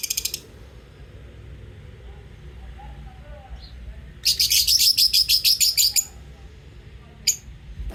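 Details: Pet lovebirds chirping: a brief opening burst of thin, high chirps, a long quiet stretch, then a loud, rapid, shrill run of about fifteen chirps lasting nearly two seconds, and one final sharp note.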